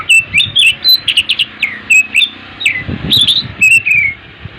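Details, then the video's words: Oriental magpie-robin singing in the morning: a lively run of clear whistled notes and short chirps, some slurred downward and some rising, delivered in quick varied bursts with brief pauses between them. "TERAPI BURUNG KACER GACOR DI PAGI HARI"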